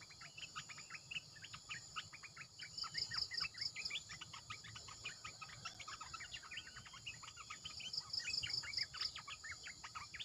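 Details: Red-eyed bulbul decoy calling from a caged bird: dense bubbly chatter of short rising and falling notes, with many birds overlapping, plus a rapid ticking insect pulse and a steady high insect drone.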